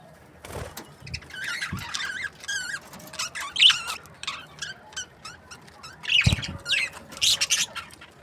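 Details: Budgies from breeding pairs give a warbling run of wavering, squeaky notes that rise and fall, mixed with a few dull knocks and thumps.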